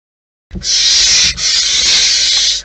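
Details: Barn owls at their nest in the wild: after a half-second of silence, a loud, sustained rasping hiss begins, breaks briefly, then continues strongly to the end.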